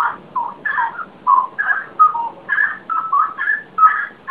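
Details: Unknown bird heard singing in the early hours before dawn, giving soft, fluty whistled notes in short varied phrases, roughly two per second, over a quiet low hum.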